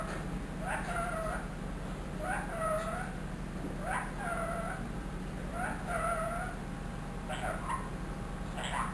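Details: Talking ringneck parrot, one year old and trained, said to repeat "Allah ho", a meow and "mitho bety": nasal, bending harmonic utterances repeat roughly every one and a half seconds against a constant droning background.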